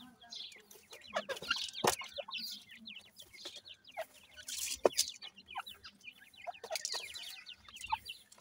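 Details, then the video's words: Dakni teetar, or grey francolin, chicks at feeding time: many thin, squeaky chirps overlap continuously, with bursts of scratchy noise and two loud clicks. "partridge tetar ,Teetar ki Bache,dakni Teetar Chicks Feeding"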